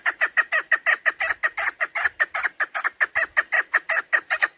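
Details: Female chukar partridge call used as a hunting lure: a fast, continuous string of harsh, loud clucking notes repeated about three times per second, rhythmic and unbroken throughout.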